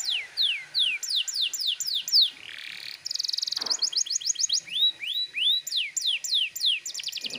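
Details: Canary singing a vigorous, insistent song used as a lure to stir untrained young canaries into singing: rapid series of falling whistled sweeps, a harsh buzzy rattle, a fast clipped trill, then more repeated downslurred whistles.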